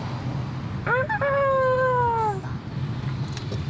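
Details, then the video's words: Roosters crowing by a hotel in Tahiti, French Polynesia, heard on arrival; one crow opens with short rising notes, then holds a long harmonic note that slowly falls for about a second and a half, over low rumbling background noise. "Oh, il y a les coqs qui chantent."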